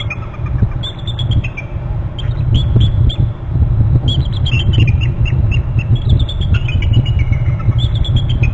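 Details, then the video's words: Two bald eagles calling in their nest territory on Hornby Island, one flying in to a branch: series of high, thin piping notes, often dropping in pitch, repeated in short runs over a heavy low rumble. "two eagles calling"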